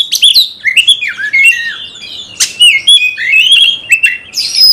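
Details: Loud, varied song of an Oriental magpie-robin used to rouse other birds to fight: tumbling whistles dropping in pitch, slurred warbles and a few harsh sharp notes.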